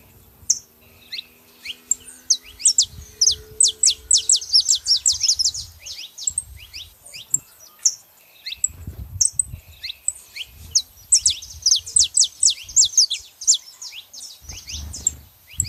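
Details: Saffron finches, a female and a male, chirping busily: dense high notes and falling slurs in two long bursts separated by a quieter stretch, with low rumbling noise underneath.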